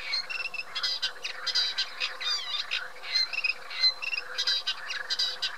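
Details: Eurasian reed warbler in full song, a fast, rhythmic chatter of grating churrs mixed with brief whistled and slurred notes, each phrase repeated before moving on.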